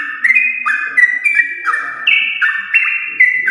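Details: Yellow-vented bulbul, champion bloodline, singing in the long rolling 'ropel' style meant to spur kept birds: short bright whistled phrases dropping in steps, roughly one per second, with a faint low hum beneath.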